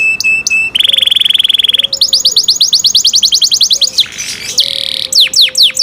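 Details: Cenkok canary song: sharp clicks, a buzzy rolling trill, a fast high trill, a brief harsh burst, then falling whistled sweeps, with faint low whistles behind.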